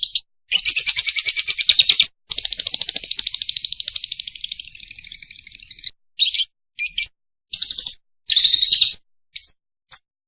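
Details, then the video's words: Lovebird from a long tutor recording for song training, giving long rattling high trills. The trills are broken by short gaps, then it delivers several brief bursts of chatter. "Masteran Lovebirds Durasi Panjang | Kicau Burung"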